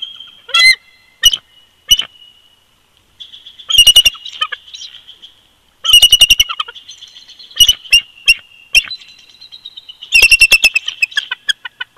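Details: Bald eagles calling as a pair at their old nest snag, Big Bear Lake, California, winter, 22 February 2020: shrill, rapid chittering runs of staccato notes, broken by short pauses, with some thin piping whistles between bursts.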